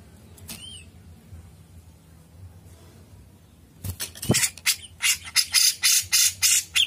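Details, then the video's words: Grey-cheeked bulbul singing the long 'ngepik' song: a soft double whistle and near quiet, then a loud, harsh, rasping series of about ten notes repeated at a steady, fast rhythm. "Jenggot gacor mbesett ngepik panjang masteran Ampuh"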